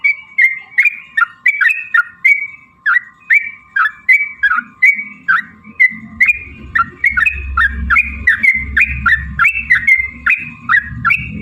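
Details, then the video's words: Yellow-vented bulbul in a 'ropel panjang' long rapid song used as a lure to provoke singing and fighting: evenly repeated bubbly notes that dip and rise, about two per second, with low droning noise building in the second half. "trucukan gacor TARUNG ROPEL PANJANG pancingan trucukan agar bunyi"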